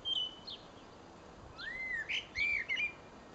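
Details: A song thrush perched in a tree at Pessac, Gironde, France, sings bright, varied phrases: thin whistles, a clear upward swoop, then quick chirpy notes in short bursts over faint background hiss.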